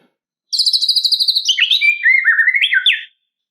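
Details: White-rumped shama in energetic song aimed at provoking a rival: a rapid high trill, then sliding, slurred whistles that dip and rise in pitch, lasting about two and a half seconds.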